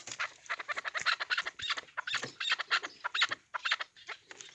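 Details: Hybrid fighting chukar partridges: loud, harsh, clucking chuck notes in quick rhythmic bursts, several per second, broken by short pauses and running through the whole stretch.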